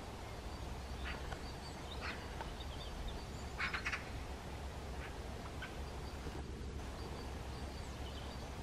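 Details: Eurasian magpie in Päijät-Häme, Finland, May 2023: harsh, rasping chacks come singly and in a short burst of three or four, over a steady low rumble of wind or distant traffic.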